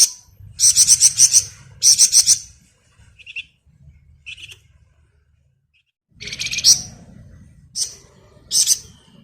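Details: Flamboyan bird singing in lively gacor style for masteran tutoring of other songbirds: dense buzzy high chirp bursts in bursts of about half a second, with short sharp single notes in the pauses and low background rumble.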